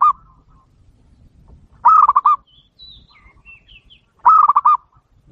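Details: Local zebra dove used as a lure call for trapping wild doves gives short bursts of rapid, clear, staccato cooing notes roughly every two and a half seconds, with faint high whistles from another bird between phrases.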